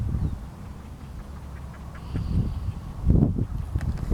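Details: Crested duck at Río Gallegos, Santa Cruz, in Argentine Patagonia, giving a few low, short, hoarse quack-like bursts clustered near the end, heard over a steady rumble of wind.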